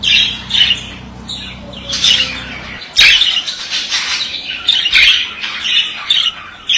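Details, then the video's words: Pet male budgerigar delivering continuous scratchy warbling chatter, clicks and chirps running together, a sharp burst near the middle, then steady busy twittering to the end. "Erkek muhabbet kuşu sesi"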